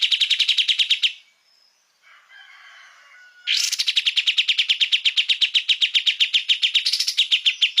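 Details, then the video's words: Olive-winged bulbul (kapas tembak) in a master recording for cage-bird training. Fast repeated chirps stop, soft quiet warbles fill a pause, then a long, loud run of rapid, evenly repeated chirps returns. "Kapas tembak gacor"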